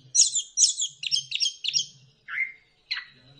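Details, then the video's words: A lure song of the orange-headed thrush for stirring birds into song: a string of five or six similar scratchy chirps, then a lower falling whistle and a thin sustained high note. "pancingan ampuh! punglor kembang | merangsang burung cepat gacor"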